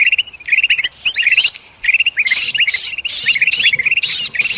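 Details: Excited golden bulbul and trapped bulbul calls from Sumatran forest, used as a lure for birds: quick clipped chirps in bunches, joined midway by harsh hissing rasps repeated about once a second.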